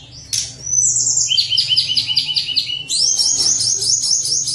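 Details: Tledekan gunung in lively, flute-like song, used to lure lazy birds into singing: high whistled phrases, a run of rapid repeated chirps, then a sustained high trill after a brief pause.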